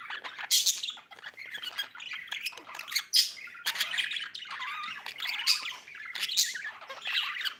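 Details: Budgie chirping in a continuous busy warble: scratchy clicks, rising and falling squeaks and sharp ticks run together with no real pause for almost eight seconds.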